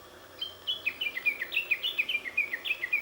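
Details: A Japanese bush warbler concealed among mulberry foliage delivers a quick series of bright, clipped descending notes, about three to four each second, after a short quiet lead-in.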